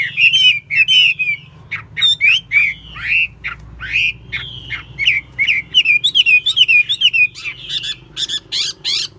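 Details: Caged Chinese hwamei, an untrained bird described as a keen, fine-voiced singer and good fighter, delivering a rich run of loud slurred whistles and short rising and falling phrases, packed tightly together, with a low hum underneath.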